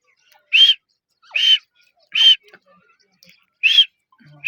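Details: Grey francolin, a female (madi), calling: loud, clear whistled notes with a slight upward inflection, repeated about every second with quiet gaps between, a few faint clicks in the background.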